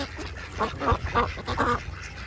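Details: Several ducks of mixed kinds feeding at a pond at lunchtime: a short run of four or five nasal, harmonic quacks in quick succession over a low background rumble.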